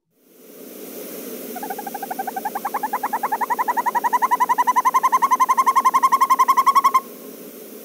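Northern hawk owl giving a long, rapid, rolling trill of whistled notes, about nine per second, that grows louder over five seconds over a low background hiss.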